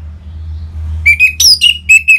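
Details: Caged orange-headed thrush, played so other birds answer and sing: a string of clear whistles with one high, sharp rising note in the middle, then steady repeated whistles. A low hum sits underneath.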